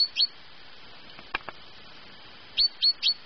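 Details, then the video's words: A pet great tit sings at 6 a.m.: bright, high, down-slurred notes, a quick pair, a pause, then three more in a steady rhythm, with two faint knocks between. "Пение большой синицы: песня пятая"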